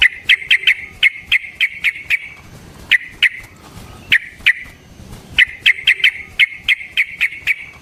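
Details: Yellow-vented bulbul, a lively fighter-style singer used to draw responses from other bulbuls, delivering sharp staccato notes in quick clusters, pausing between groups, then bursting into faster runs again.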